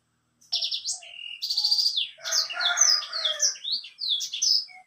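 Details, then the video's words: White-rumped seedeater singing a loud, varied song: rapid buzzy trills and sweeping whistled notes, high-pitched and continuous, with dense chattering phrases in the middle section. "BURUNG BLACKSTROAT GACOR"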